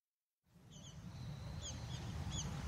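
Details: Rustic bunting feeding on 4 December 2016 gives short, high, sharp tsip notes, about four in two seconds, over a steady low rumble of wind or distant traffic.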